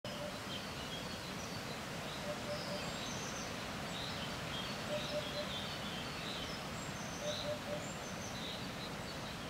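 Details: Eurasian hoopoe met in the wild, calling: soft, low, hollow triple hoots repeated every two to three seconds, half buried under strong wind, with thin high chirps of other birds scattered above.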